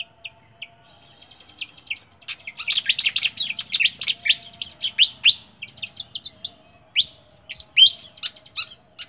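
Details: A caged flycatcher pours out a dense, rapid stream of high chattering and twittering notes after a brief buzzy trill, with loud sweeping whistles toward the end.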